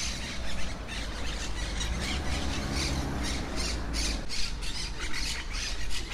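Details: A colony of wild, feral monk parakeets in trees in Brussels, Belgium, in 2017 gives harsh, grating squawks in quick, overlapping bursts, with several birds calling at once, over a steady low rumble of wind and city noise.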